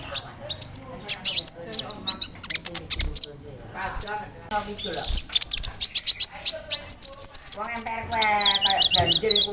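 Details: Konin bird delivering varied mimicked phrases of crickets, brem, kamade and rambatan, used as a tutor for murai, canaries, cucak ijo and lovebirds: dense high chirps, chattering runs and slurred whistles with barely a pause.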